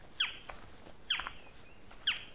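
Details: A Barred Forest-Falcon vocalizing in late afternoon in the Yabotí Biosphere forest, Misiones, gives three sharp, barking notes that drop in pitch, roughly one per second, over a soft hiss of forest background.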